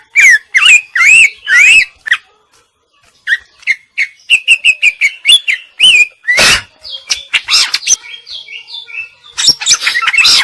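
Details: A female greater green leafbird sings busily in isian style. Looping whistles give way after a pause to a quick string of short chip-like whistles, then a harsh burst and dense high twittering.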